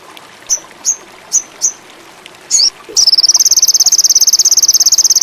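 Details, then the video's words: Sogon (indigo) in strong breeding condition gives four separate high chirps, a short buzz, then launches into a fast, steady, shrill trill of rapid pulses. "SOGON INDIGO ‼️AWAS BURUNG TAMBAH GACOR‼️MACET BIRAHI TINNGGI"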